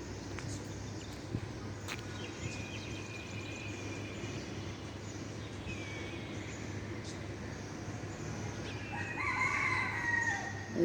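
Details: A rooster at dawn in a park with a playground in Jhigatola gives a harsh, drawn-out crow rising near the end, partly buried under a steady low hum of traffic and a man talking nearby.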